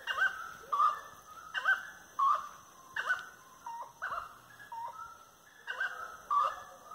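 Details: Grey-necked wood rail giving a firm song at dusk, 18:30 on 25 March 2022, while walking along lanes. Loud nasal hooting notes with harsh overtones come in a steady series, roughly one every half second.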